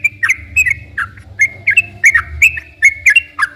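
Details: Lure song of a sooty-headed bulbul for calling rivals and prompting caged bulbuls to sing: bubbly whistled notes with downward slurs, nearly three a second, backed by a low droning hum.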